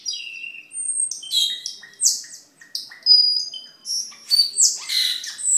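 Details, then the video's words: Varied cucak keling singing, used as a model for caged birds and a lure: scattered bright whistles, short buzzy notes and sharp chirps, loudness rising and falling between phrases. "Suara Burung Cucak Keling Gacor untuk Masteran dan Pikatan"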